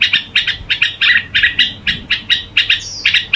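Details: Red-whiskered bulbul, a kept bird, in its gù singing style: rapid series of short, harsh, chattering bursts, about four each second. One thin, high whistle slides down near the end. The background is quiet.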